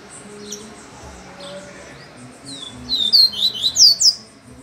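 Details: Double-collared seedeater singing while hanging upside down: after a quiet start, a burst of six or seven sharp, high whistled slurs, each sweeping downward, delivered rapidly in under two seconds.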